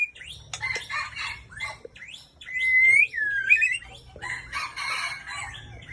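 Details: Aceh white-rumped shama, a breeding female, gives a loud, rich song: clear looping whistles that rise and fall, mixed with harsh chatters and sharp high notes, over a faint low hum.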